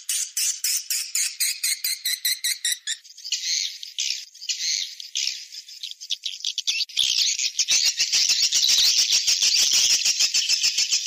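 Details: Swiftlet lure call, 'seruling sakti' type, used to attract birds to a nest house: rapid clicking chirps, then smoother high twittering, then dense twitter over fast clicks.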